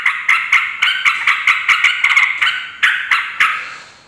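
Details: Noisy yellow-vented bulbul chatter, used to lure and agitate rival bulbuls; a rapid series of harsh, rasping bursts that loosens into a few separate scratchy notes before fading out.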